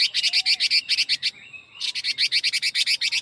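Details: Very fast 'ché kích bổi' song style of a Chinese hwamei: a near-continuous machine-gun series of buzzy, high chattering notes, interrupted once by a short pause with a faint rising whistle.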